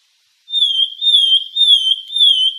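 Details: A Sultan tit (Melanochlora sultanea) sings a clear, high whistled phrase, slightly falling, repeated four times in quick succession about every half second; nothing else is heard.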